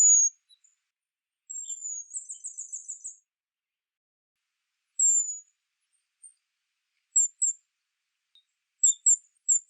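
Western Spindalis giving very high, thin calls: a drawn-out slurred note, a quick buzzy trill, then short high chips scattered through the quiet.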